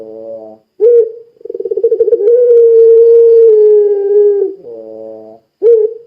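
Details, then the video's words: Barbary dove of the pelung kind, sung to make others join in: a reedy buzzing note, a sharp hoot, quick throbbing pulses building into a long steady coo, then more buzzy notes and a fresh start. "Suara Burung Puter Pelung Gacor Sangat Ampuh Menjadikan Puter Lain Ikut Bunyi"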